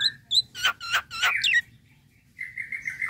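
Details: Nias hill myna giving a relaxed calling sound: loud harmonic whistled notes, a few short clear notes then three rich descending calls and a rising slurred whistle, followed after a pause by a sustained steady whistle; low background hum.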